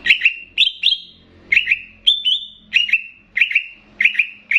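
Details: Greater green leafbird of the Banyuwangi type, used as a training recording meant to excite other cucak ijo and mixed with bebeci-style phrasing, singing clear whistled doubled notes that rise slightly, repeated about every half second.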